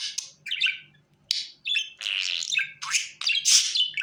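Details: Budgerigar calls used to call the bird to the hand: bursts of raspy, buzzy chatter and squawks with short sharp chirps, in quick irregular phrases.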